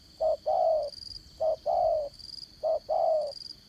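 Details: Spotted dove used as a trapping decoy, of the 'Đồng Son' voice type: mellow coos in pairs, a short note then a longer, slightly falling one, repeated about every 1.2 seconds, over a steady high insect buzz.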